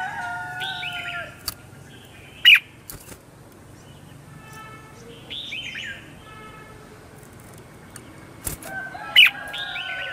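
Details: Red-whiskered bulbul in a morning singing session, used to lure wild birds. Two loud, abrupt chirps stand out about seven seconds apart. Softer warbled phrases and sliding whistles fill the gaps, with occasional clicks.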